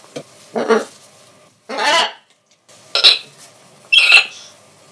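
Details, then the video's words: A pet Military Macaw gives four harsh, raspy screeches, each under half a second, spaced roughly a second apart with quiet gaps between, recorded as samples for a techno beat. "In this episode, I'm going to record some parrot sounds and turn them into a sick techno beat."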